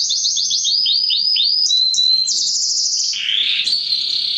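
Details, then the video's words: Male canary song meant to excite hens for breeding: a run of fast down-slurred notes, then a bright whistled note and a dense buzzing roll, shifting lower into a rich warble. "اقوى تغريد كناري للتسميع و تهييج الاناث للتزاوج حصريا canary singing training"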